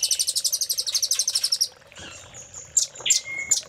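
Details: Red-billed velvet-fronted nuthatch used as a master for caged songbirds: a rapid, high, pulsing trill lasting over a second and a half, then quiet, followed by sharp chips and one flat, drawn-out lower whistle.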